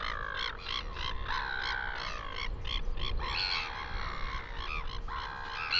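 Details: Northern royal albatross (Diomedea sanfordi) in New Zealand, recorded 12-08-2020, giving harsh, nasal, croaking calls in quick repeated bursts, some drawn out, over steady low wind rumble.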